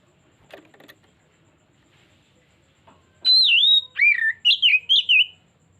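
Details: Kacer, the Oriental magpie-robin, singing a trigger phrase. A few faint clicks and taps come first, then a loud sustained high whistle, a dipping lower slur and three quick warbled whistles in close succession.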